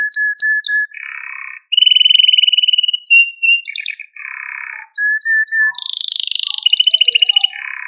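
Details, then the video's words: Malta canary song played to stimulate canaries and train young birds: varied phrases of pure whistled notes, short repeated chips, buzzy rolls and a rapid high trill, each tour lasting about one second, no other sounds. "Süper Bir Malta Kanarya Sesi Ve Ötüşü"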